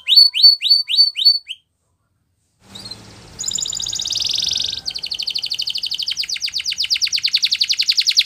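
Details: Spanish Timbrado canary performing a training song: six quick downslurred notes, a pause, then a dense buzzy trill followed by a long steady fast-pulsed rattle.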